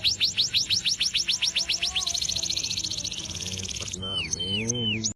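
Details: , singing vigorously outside a cage, song suitable as a master recording for training other birds: a fast series of high, sharply repeated chirps, about seven per second, then a dense buzzy trill, then clear whistled descending notes.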